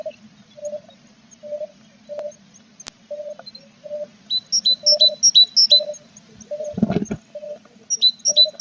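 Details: Tit nest box on 21 April, parent bird and growing chicks; a run of short, high thin notes in quick pairs, repeated several times, with faint low tones, a dull bump, and a steady hum beneath.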